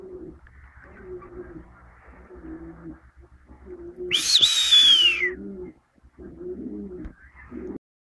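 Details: A peahen giving a single loud, wavering, shrill scream that slides downward, amid a regular run of low rounded sounds from the person talking with it.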